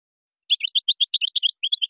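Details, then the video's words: Moroccan song of a European goldfinch with gazarat and srrr bertbertiu elements: a fast, even series of crisp high chirped notes, about eight per second. "تغريد مغربي ڨازرات + سررر برتبرتيو canto jilguero marocco"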